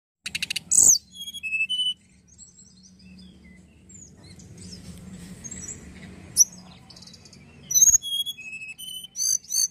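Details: Juvenile tledekan song used to stimulate other tledekan birds to sing. High, thin chirps and short whistled notes come in bursts at the start and end, with a quieter stretch between and a faint low hum beneath.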